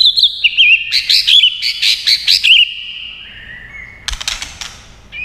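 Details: White-rumped shama stirred to fighting song, beating its tail: a quick series of rich rising and falling whistles with loud clicking ticks, a long fading tone, then another burst of rapid dry clicks.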